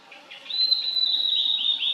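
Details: Valley-singing wild Blue-and-white Flycatcher in 2023, delivering a clear high whistle held for over a second that dissolves into fast, warbled, buzzy trills.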